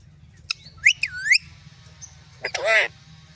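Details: Rose-ringed parakeet talking: quick rising and falling whistled glides, then a short raspy, speech-like burst with stacked curved tones, over a low steady hum.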